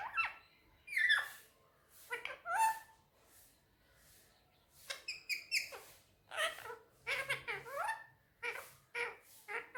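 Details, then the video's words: Pet male Indian ringneck parakeet chattering indoors on a table, mimicking Urdu/Hindi speech: quick bursts of squeaky, warbled syllables and sharp clicks in irregular clusters over nearly ten seconds, fairly quiet, with faint room hum. "Mitthu talking on table || so cute Mitthu is very sweet talking || And lovely parrot Urdu/Hindi"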